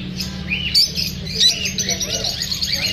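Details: Lovebirds reacting to feeling unsafe while filmed, giving a few shrill chirps over an overlapping wash of high, rising and falling twitters from several birds and a steady low hum.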